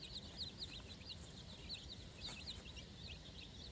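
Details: Four-day-old chicks outdoors on fresh grass for the first time, accompanied by their mother, utter clear, high, upslurred peeps in quick succession over a steady broadband hiss.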